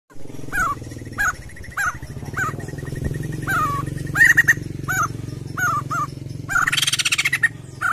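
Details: Crested jay, kept bird called up with a lure recording, giving short rising-falling nasal notes about every half second over a steady low hum, ending in a loud harsh buzzy burst.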